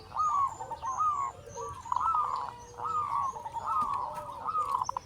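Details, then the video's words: Several local zebra doves sing in a chorus used to stimulate other doves: repeated short phrases of bright, bubbling coos, about one a second, over a hissy background. "Perkutut Lokal Gacor Suara Besar Pancingan Burung Perkutut Agar Cepat Bunyi"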